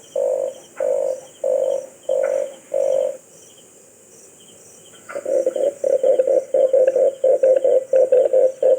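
Red collared dove giving five low, gruff cooing notes about one a second, then a faster run of short rough coos, over a steady high insect hiss.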